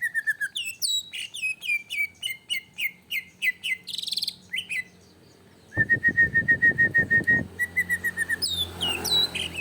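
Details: Greater green leafbird, agitated and provoked into song, used as a lure recording: rapid strings of sharp downslurred whistles, a steady run of level ringing whistles near the middle, then bright high chirps. The bursts are fast and closely repeated.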